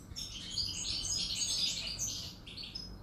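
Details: European goldfinch song recorded on 1 July 2018: a fast, continuous twittering of high tinkling notes and short buzzy trills, sustained for about three seconds over faint low background rumble.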